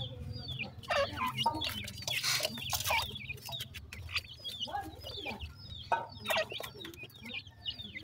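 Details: Several partridge chicks feeding together, their high, curling peeps repeated in quick bursts over steady clattering and pecking sounds and a low background hum.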